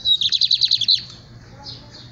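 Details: Lined seedeater in capiroto style delivers a fast buzzy trill of roughly ten rhythmic pulses ending on a bright note, followed by soft faint chirps over a low hum.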